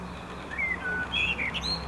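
A blackbird sings a brief phrase of clear, fluty whistles that slide and step upward into higher, thinner notes, over a low steady hum.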